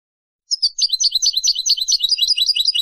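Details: European goldfinch, singing to teach chicks, gives a lively, high-pitched stream of tinkling twitters and short trills in quick succession.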